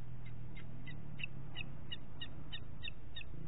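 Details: Booted eagle calling in Parc Natural dels Ports on 27 June 2021, 09:06 in the morning: about eleven sharp, high, two-toned notes spaced evenly, around three a second, with low background rumble.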